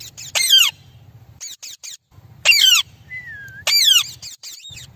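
An Amazon parrot gives three harsh, downward-sliding squawks about a second and a half apart, with a brief falling whistle before the last, over a faint low hum.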